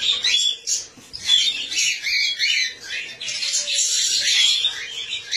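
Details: Cockatiels mating for the first time, chattering in a steady stream of high, scratchy chirps and squawks.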